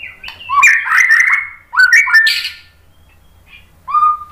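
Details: Lure song (pancingan) of a white-rumped shama, or murai batu, used to stimulate other shamas to sing: two energetic bursts of mixed whistles and harsh chattering notes, then silence and a short clear whistle.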